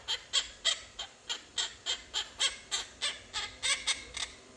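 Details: Household pet quaker parrot chattering: a quick run of about fifteen clipped, harsh notes at a steady pace of roughly three per second, over a quiet background. The owner is coaxing it to laugh.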